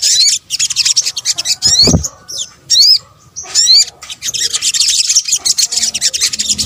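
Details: Lure recording of sunbird (sogok ontong) calls: high, busy twittering with several distinct bursts of steep rising-and-falling whistled notes repeated in quick series mid-clip, then dense chirping again.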